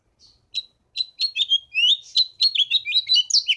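A house finch sings a fast, jumbled warble of bright chirps and slurred notes, rising and falling, running continuously with no other sounds.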